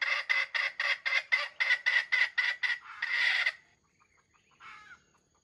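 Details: Bait red junglefowl in a trap crowing in a stuttering, grinding series of about twelve rapid harsh bursts ending in a longer note, followed by faint soft clucks.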